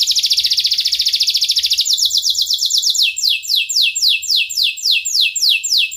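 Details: Canary in long continuous song used as a lure for young canaries: an opening very fast buzzy trill, then slower, evenly repeated falling whistles roughly three per second.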